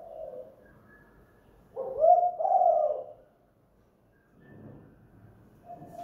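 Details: Spotted dove, tekukur or derkuku, cooing at home in the hanging guk lure style. One loud, deep, two-part coo phrase stands between faint softer notes at start and end.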